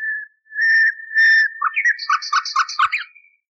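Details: Common nightingale song from a noise-cleaned recording believed at least 30 years old, for teaching canaries: soft, level whistles growing louder, followed by a choppy, rapidly repeated series of short, bubbling notes.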